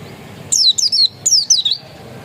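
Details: Pleci dakun, an Oriental white-eye described as still original, gives two quick pairs of high, slurred notes, each sweeping steeply downward, in a quiet setting.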